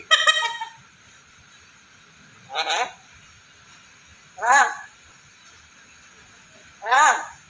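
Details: Black-capped lory, a vocal talking parrot, repeating a raspy squawk: a burst at the start, then three grating calls spaced about two seconds apart, with a faint hiss behind.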